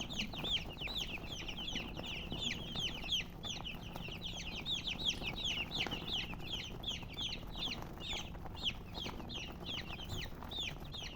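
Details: Young chicks of chicken giving a continuous jumble of shrill, descending cheeps, roughly three per second and heavily overlapping, steady in loudness, over soft low rumble.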